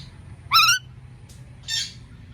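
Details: Indian ringneck parakeet uttering a loud, ringing, harmonically rich screech that bends upward and down, followed after a pause by a softer harsh, breathy squawk over low hum.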